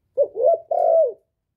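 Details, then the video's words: Male spotted dove used as a decoy, calling to lure wild doves in; a clean three-part phrase of mellow, mid-pitched coos, two short notes then a longer drawn-out final coo that slurs downward, with no background noise. "Chim cu đất, cu gáy gọi, tiếng chim cu trống kéo bổi về tàng, tiéng cu gáy không tạp âm, cu mồi"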